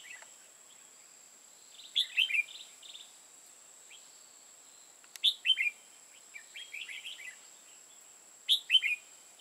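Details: Decoy red-whiskered bulbul singing during bird trapping in Hòa Bình, Vietnam: lively, fluty warbled phrases repeated about every three seconds, each a quick cluster of rising and falling notes, over a constant thin high-pitched hum.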